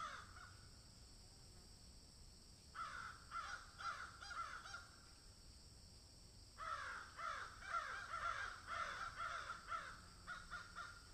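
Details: Two bouts of rough cawing from a crow at its food, each several seconds long with quick repeated notes, separated by a short silence.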